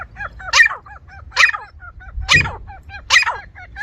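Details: Grey francolin in a village setting giving loud, harsh, upward-sweeping calls about once every 0.85 seconds, four in all, over a steady background of softer repeated chirping notes and low rumble.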